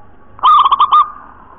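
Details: Local wild zebra dove giving a clear cooing phrase in the nropel cowong gowong style: a few quick, mellow, hollow pulses followed by a drawn-out tone, short and clean against a quiet background.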